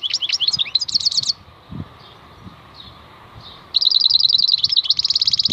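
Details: Wild-style khalwi song of a European goldfinch: twittering, high trills and quick rising notes open the clip, then a quiet gap before a long, dense trilled phrase resumes to the end.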